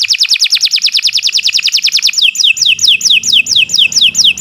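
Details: Canary singing as a tutor recording for other birds, a fast steady trill of repeated notes about two seconds long that shifts into slower, sweeping downward whistles.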